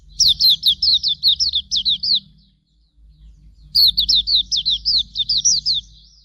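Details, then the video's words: Master song of Hume's white-eye for training birds: two rapid twittering phrases of high, down-slurred chirps, roughly eleven then nine notes, separated by a brief silence, with a faint low background hum. "Masteran Suara Burung Pleci Auriventer"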